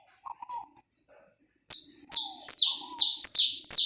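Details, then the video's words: Saffron finch song played to warm up another bird, recorded live without cuts: after faint low notes, a run of six loud, high, downward-sliding notes repeated about every half second. "esquenta seu canário da terra em 10 minutos. som gravado aí vivo sem cortes"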